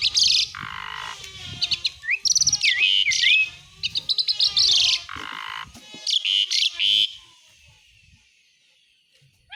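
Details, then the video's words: Besetan isian song by an Asian pied starling, rich in mimicry: loud harsh blasts, a drawn-out lower rasp, quick chattering runs and whistled wiggles, tailing off into near silence at the end. "ISIAN BESETAN JALAK SUREN GACOR🛡️SIAPKAN SUARA BANYAK BURUNG"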